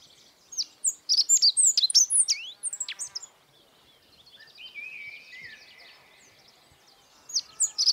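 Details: Godlewski's bunting, Emberiza godlewskii, among birds of the Altai mountains in Siberia, sings a quick jingling phrase of high, sharply varied chirps and slurred notes lasting about three seconds. A softer drawn-out whistle follows, then the song begins again.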